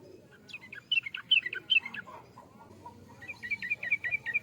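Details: Yellow-vented bulbul singing jumbled, liquid chattering notes, followed by a steadier run of repeated chirps near the end, with mild background noise.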